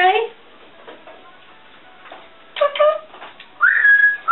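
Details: Pet female African grey parrot, alone and chatting indoors, gives a low warbled phrase, a quiet pause with faint tones, then a burst of harmonic syllables and a loud rising whistle held steady.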